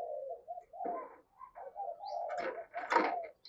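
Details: Decoy spotted dove cooing to lure wild doves: low, soft coo phrases in quick runs, with a brief rustling burst near the end.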